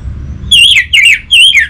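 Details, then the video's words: Orange-headed thrush giving three loud whistled notes in quick succession, each wavering and slurring down in pitch, part of a lure song to prompt silent birds to sing. "Burung ANIS MERAH Macetan Terpancing Gacor Didengarkan Kicauan Ini"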